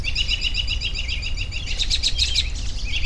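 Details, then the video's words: Bird sounds for relaxation: a quick series of repeated high chirps, several per second, with brighter notes clustering near the end over a constant low background rumble. "10 Minutes of Bird Sounds for Relaxation"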